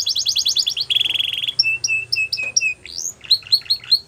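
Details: Training song from a canary: rapid chattering trill, a short buzzy roll, then a row of flat whistled notes, ending with scattered sharp upslurred chirps.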